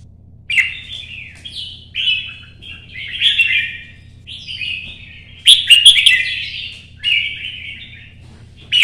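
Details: Solo competitive song of a red-whiskered bulbul kept in Vietnam: repeated short whistled phrases rising and dipping, one louder crackling flourish midway, quiet steady hum underneath.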